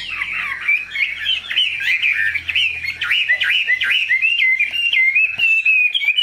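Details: Purebred caged Chinese hwamei with a large body singing loudly: a continuous stream of rich, rolling whistled phrases, quick slurs and short warbles, varied and unbroken, with a faint low hum in the background.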